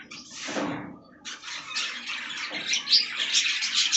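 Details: Budgies feeding on fresh green leaves: a falling sweep of noise opens, then a swelling flock of high, rapid chirps and warbles.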